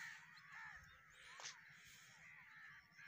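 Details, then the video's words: Shrill caws from crows at a roost blend into a dense, hissing chorus with one louder sharp call in the middle. "Crow black bird roost shrill"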